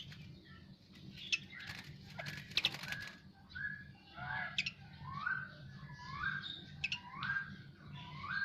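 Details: Asian pied starling singing after a bath: scratchy clicks and chatter at first, then a run of rising whistled slurs repeated about every half second, with a steady low hum underneath.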